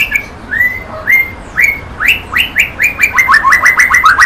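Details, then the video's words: White-rumped shama delivering a series of upslurred whistles that start spaced apart and speed up into a rapid, even volley of bright notes. "Kicau Burung Murai Batu"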